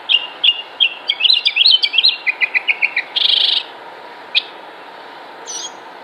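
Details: A Northern Mockingbird song, as given by males attracting females in the breeding season: a quick run of varied chirps and whistled notes, then a harsh buzzy burst and a few scattered calls.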